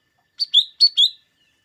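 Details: Lesser green leafbird (cucak ijo mini) used to excite green leafbirds ahead of contests: two quick phrases, each a bright high note followed by a downslurred whistle, clean with no background.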